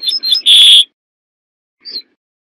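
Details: Corn bunting phrase: a few chirpy ticks leading into a short shimmering rattled jangle, then a single faint tick after a pause of about a second.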